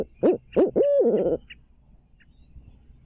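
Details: Barred owl at a nest in Midtown Tulsa, 2019, on a stream camera: three quick, deep hoots followed by one long, drawn-out hoot that swoops up and falls away. Quiet background.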